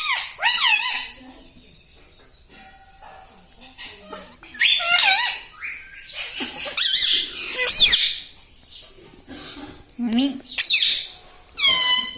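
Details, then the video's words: Household talking parrot, said to say "Papa Mummy". Scratchy, wavering, voice-like phrases mix with human speech and a few sharp squawks in a small room. "Papa Mummy Bolne Wala Tota - Talking Parrot"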